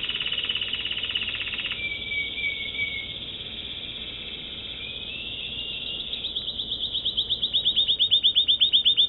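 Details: American Singer canary moving from a fast rattling roll to a smooth, gliding whistle, then building into loud, rhythmic chips repeated about four times a second.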